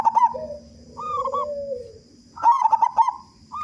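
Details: Loud-voiced local zebra dove singing as a lure to set other doves calling: rapid coos at the start and again later, with a lower, smooth drawn-out note and a softer warbled coo between them.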